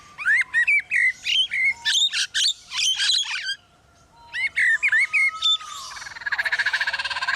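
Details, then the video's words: Adelaide Zoo's male Superb Lyrebird reproducing building-site sounds picked up during recent construction: fast runs of sharp chirps and clicks, a short pause, more chirping, then a steady pulsing buzz like a power tool. "Superb Lyrebird imitating construction work"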